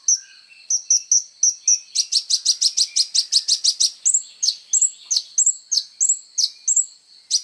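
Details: Kolibri ninja, a sunbird, in lively full song used for training songbirds: clipped high notes, then a steady train of about fifteen rapid sharp chips, followed by paired whistles and downslurs repeated every half second.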